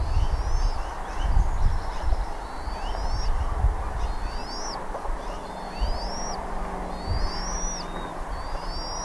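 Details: Bald eagle at Redding, 17 April 2021 at 08:15: a series of thin, high whistled notes, each sweeping upward, repeated roughly every second or so over a steady hiss and low rumbling wind.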